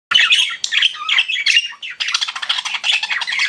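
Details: Pet budgerigars chirping: a dense, continuous stream of rapid scratchy chirps and warbled squawks, overlapping and busy throughout.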